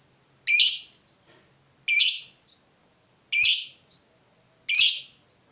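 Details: Fighter lovebird provoked by a rival, repeating loud harsh rasping shrieks about every 1.4 seconds, four in all, each with a short faint note after it, in an otherwise quiet setting.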